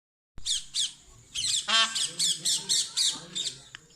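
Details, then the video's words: A peacock, described as angry, gives harsh, nasal squawks: two opening blasts, then a quick run of about eight raspy honks, several per second. "Angry peacock call funny voice sound peacock"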